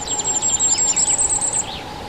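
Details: Common firecrest, Regulus ignicapilla, recorded in Czechia: a very high, thin series of rapid notes near the top of hearing, accelerating trills with lower chirps beneath, over a steady low hum.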